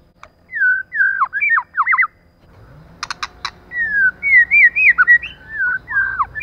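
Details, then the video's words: Female white-rumped shama used as a lure: clear whistled phrases of slurred, wavering notes around the middle range, a burst of sharp clicks near the middle, then more quick looping whistles, with faint low hum beneath. "CHOÈ LỬA MÁI.choè lửa trống + mái kích lửa.choe lua mai.pancingan murai batu.lửa mái mồi."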